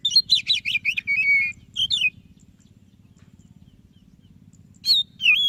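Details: Prompting song of a white-breasted Oriental magpie-robin: a fast burst of repeated bright chirps, a long whistle and a slurred phrase, then about three seconds of quiet hum before two more whistled notes.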